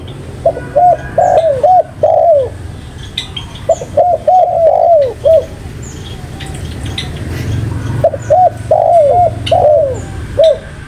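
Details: Spotted dove repeating its cooing phrase three times: clusters of short coos and a drawn-out falling coo, with scattered high chirps of other birds.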